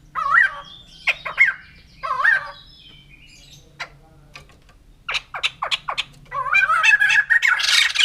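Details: Song of a white-crested laughingthrush, the laughing bird: separate swooping, rising-falling phrases, then sharp clipped notes. It ends in a dense, excited run of loud chattering laughter over a faint low hum.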